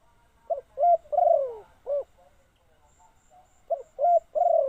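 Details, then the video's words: Decoy spotted dove cooing to lure wild doves: a low, hoarse cooing phrase of short notes ending in a drawn-out, falling coo, heard twice, with a faint high note in the gap. "chim cu mồi gáy gọi bổi"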